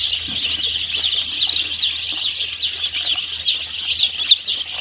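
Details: Mass of one-day-old chicks on a poultry farm, continuous high-pitched chirping with wavering downslurred peeps, occasional louder individual calls, and a soft low hum behind.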